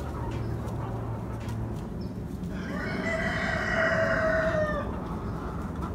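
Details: Fairground rooster among hens and chicks enjoying a pumpkin treat at Halloween gives a single long, steady crow lasting about two and a half seconds, ending with a slight downward slide, over constant low barnyard rumble.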